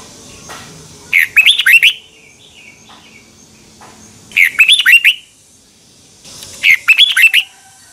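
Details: Red-whiskered bulbul singing a morning training song with a double twisting voice, used as a lure song for training birds: three short bursts of rapid, rich whistled notes swooping up and down, about three seconds apart, in a quiet background.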